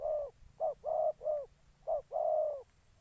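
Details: Spotted dove used as a decoy bird for trapping wild doves in Gia Lai, Vietnam, giving low, mellow coos: six notes in three seconds, some short and clipped, others drawn out and falling at the end, over quiet low rumble.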